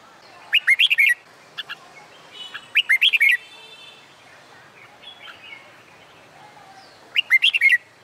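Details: Summer daytime song of a red-whiskered bulbul kept for contest training: rapid bubbly phrases of looping whistled notes, three loud bursts spaced several seconds apart, quieter chirping from other birds filling the gaps.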